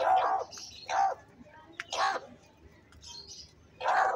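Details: At feeding time a crow caws loudly and harshly, four hoarse calls spaced roughly one second apart, while thin, high chirping from other small birds fills the pauses.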